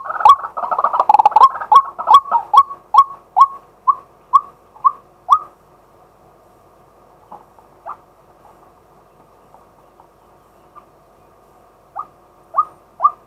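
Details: Male White-breasted waterhen calling during the day, recorded live: a dense chattering burst gives way to spaced, rising notes that slow and fade, a long near-silent gap, then a few soft notes return.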